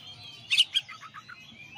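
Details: Master recording of a champion Oriental magpie-robin: a loud burst of sharp, high chips, then a short descending string of four or five clear notes, with faint bird whistles behind.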